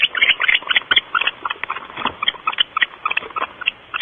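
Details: Barn owls at their nest box, Starr Ranch, 5:45 am before dawn: fast, uneven bursts of harsh clicking and chittering notes, about four per second, dry and scratchy.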